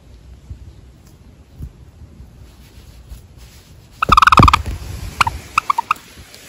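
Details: Java sparrow that has just been unexpectedly touched on its rear and seems to stop and ponder; after a quiet start, a rapid flurry of sharp, ringing chip notes, then several scattered single chirps trailing off, with faint low rumbling underneath.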